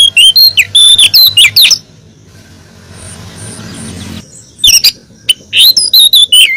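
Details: Calls of a female oriental magpie-robin meant to draw a male: quick whistled and warbled notes for under two seconds, a hushed gap with a faint high tone, then more sliding whistles.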